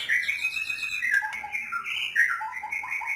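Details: White-rumped shama singing a continuous run of clear, varied whistled phrases, sliding notes dipping lower then rising back up, with short repeated notes near the end; no other sounds stand out.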